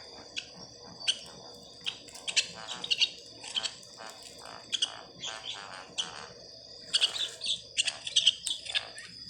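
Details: Young bird chick calling: bursts of high, thin chirps and squeaky notes in irregular clusters, with several quick runs of peeps close together, over a steady faint background hiss.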